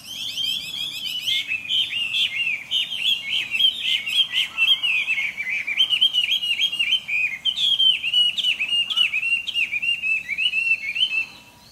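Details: Chinese hwamei singing in the early morning, a loud continuous stream of varied clear whistles, slurred up-and-down notes and rapid repeated phrases, with faint chirps of other birds behind.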